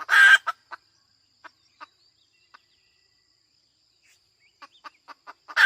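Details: Female chicken with a loud hoarse squawk at the start and end, separated by sparse, irregular clucks and a long quiet gap before clucking picks up again.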